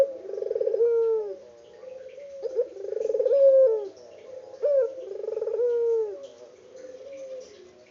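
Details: Local puter dove, noted as especially vocal, recorded without editing. Four low coos in a row, each a throbbing, pulsed roll ending in a long downward-gliding tone, with short quiet gaps between them.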